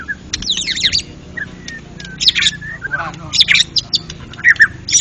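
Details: Champion white-rumped shama in ngeplong gacor song: quick clusters of high chirps and trills separated by soft thin whistles, with faint murmuring voices beneath.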